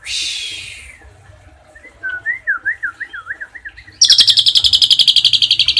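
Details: Asian pied starling tembakan song with cililin fill, used for tutoring other songbirds: a harsh hissing burst fades, then a row of quick wavering whistles, then an abrupt loud machine-gun-like rattling trill that carries on evenly.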